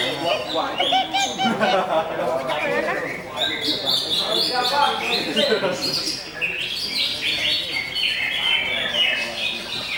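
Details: Energetic greater green leafbird song of crowded, stuttering notes, warbled slides and short high trills, delivered without pause.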